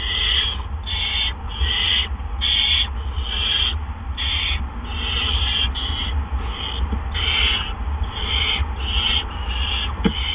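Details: Barn owl at a nest in April, evening around 8 PM, as two adults deliver gophers one after the other; about a dozen harsh, rasping hiss-screeches repeat roughly every second over a steady low hum.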